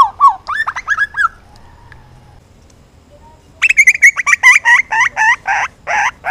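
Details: Juvenile grey butcherbird singing energetically: a burst of rising hooked notes, a quiet gap, then louder harsher notes with strong overtones, repeated about four times a second.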